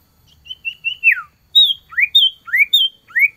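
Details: Male common iora (cipoh) calling a female during the cold season: short level whistles and a falling slide, then alternating high whistled notes and quick rising upslurs repeated several times.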